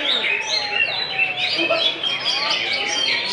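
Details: Greater green leafbird (cucak ijo) at a prestigious songbird contest, a bird said to be steady at every event and always earn full points; fast, bright run of varied whistles and chattering phrases, overlapped by other birds and faint voices.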